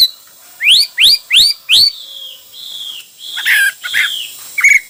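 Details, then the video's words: Hwamei singing: four loud, quick upswept whistles in a row, then softer, longer, wavering whistled notes and a final sharp chirp. "Coob quaj ntaus yam (Hoạ mi hót nhiều kiểu hay)"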